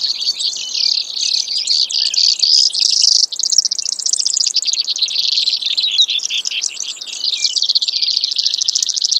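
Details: Brewer's sparrow singing an unbroken string of high buzzy trills that change from fast rattles to slower pulsed runs, with a brief pause near the third second before the trilling resumes.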